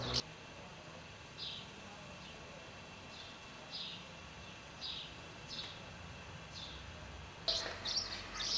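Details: House martin feeding young at Přerov-Kozlovice, Czech Republic: short, high chirps roughly once a second, then a louder burst of clustered higher chirps near the end, over a low steady background hum.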